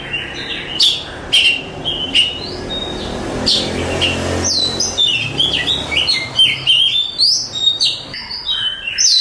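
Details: Contest-champion Oriental magpie-robin delivering varied song: sharp clicks and short whistles early, then dense, fluttering warbled phrases and chattering notes, loud and continuous over nine seconds, mostly high-pitched, with low room hum beneath.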